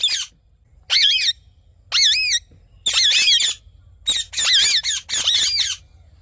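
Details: Ringneck parrot calling in the morning: loud, shrill, wavering squawks given in bursts of about half a second, seven bursts with brief pauses, over a faint low hum.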